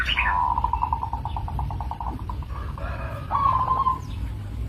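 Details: A local zebra dove gives a rapid series of soft cooing pulses that slows and fades, then starts a short, brighter trilled phrase, over steady low background noise.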